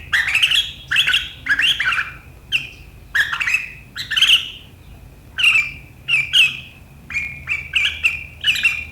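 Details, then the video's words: Riwikan chattering by a sooty-headed bulbul, sharp enough to make rivals join in, recorded 7 April 2023; scratchy bursts and ringing whistled notes in uneven groups, a short lull near five seconds. "Suara burung KUTILANG GACOR RIWIKAN yang tajam membuat lawan ikutan ngeriwik"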